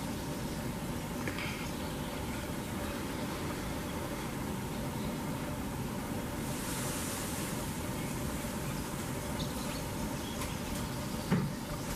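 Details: Only a steady low rumble of engine or vehicle noise with a faint constant hum is heard, and no clear animal call.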